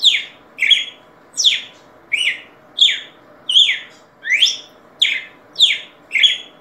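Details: Red-cowled cardinal singing: clear whistled phrases sweeping between about two and eight on a rising-falling arc, repeated roughly every two-thirds of a second in a steady run, with a faint low hum behind.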